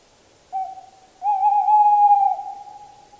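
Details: Tawny owl hooting: a soft short note, then a pause, then a prolonged tremulous hoot that weakens slowly at the end. No other sounds stand out.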